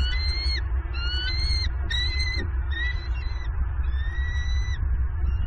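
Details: Female bald eagle at a Southwest Florida nest on the morning of 7 November 2022, screaming with excitement as her mate lands with a fish. Several drawn-out, high, thin squealing notes, some falling, play over steady low wind rumble.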